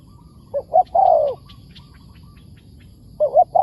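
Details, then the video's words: Wild spotted dove answering a decoy bird: two short coos and a long falling coo, a pause with faint thin twitters, then the phrase begins again. "เสียงดี มีคารมป่า"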